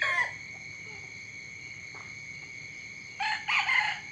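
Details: Early-morning rooster: the tail of one crow at the start, a long pause with a steady high drone, then a new harsh, harmonic crow beginning near the end.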